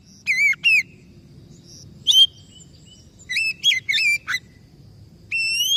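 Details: Caged white-rumped shama recovering from stress and singing again, with loud whistled notes in small clusters, rising and falling, spaced by brief pauses, over a faint low background hum.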